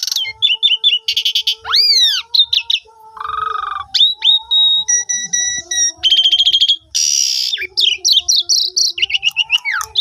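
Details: Asian pied starling lure song intended to make a silent starling join in, phone-recorded: bent whistles, rising and falling slurs, a low nasal note, steady pure tones, rattling buzzes and quick chirps.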